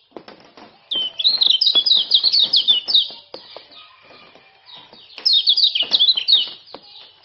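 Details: Male common iora, Lombok type, giving 'ciak-ciak' chatter used as a lure: two loud bursts of quick high chirps separated by quieter notes, with many sharp clicks and taps throughout.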